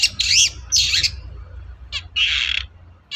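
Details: Long-tailed shrike (cendet) in lively, loud form, used as a prompt to get a silent shrike to answer and sing: harsh, raspy squawking bursts of about half a second, separated by short gaps, with a low hum beneath.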